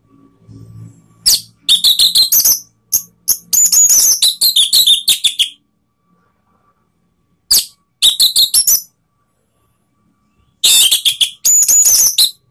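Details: Orange-headed thrush singing a provoking lure song for rivals: long rapid strings of shrill, sweeping whistles and chattering notes, broken by pauses of several seconds between three vigorous bouts.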